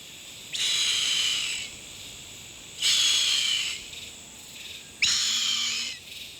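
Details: In Guyana's rainforest on the Essequibo River, a female harpy eagle settling on her eggs in the nest gives three breathy, hissing wails about two seconds apart, each roughly a second long, calling for food and her mate; no answer comes.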